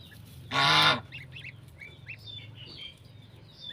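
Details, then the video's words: Domestic goose with goslings on a farm: one loud harsh honk lasting about half a second, followed by faint high peeping from the goslings. "Cute Baby Goslings with Their Mother Goose"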